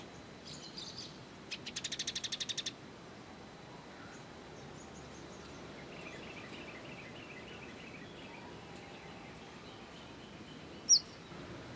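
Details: Kolibri ninja sunbird singing on training material for cage birds: soft high twittering, then a loud, fast trill of about twelve pulsed notes, followed by faint chatter and one sharp high note near the end.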